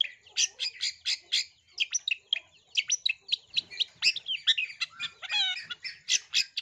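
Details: Long-tailed shrike used as a singing lure for other shrikes, delivering a steady stream of sharp chirps and scratchy notes with sparrow-style bursts and a brief nasal buzzy phrase.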